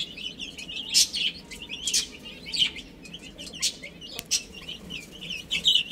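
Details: Little chicks chirping while they play and eat: brief high downward-sliding peeps come from several birds at once, broken by sharp tapping and scratching noises.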